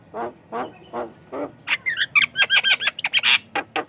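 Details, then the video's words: Javan myna singing vigorously as a lure for mynas: four slow nasal notes, then a rapid jumble of squeaky whistles and clipped chatter. "COCOK UNTUK PANCINGAN JALAK KEBO BAHAN || jalak kebo gacor calon pemasteran"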